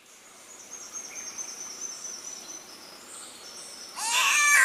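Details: Green catbird, Bunya Mountains National Park, Queensland, Australia, 29 December 2014, 13:30: after several seconds of a thin, steady high insect whine, a loud, harsh, cat-like wail bursts in at the end.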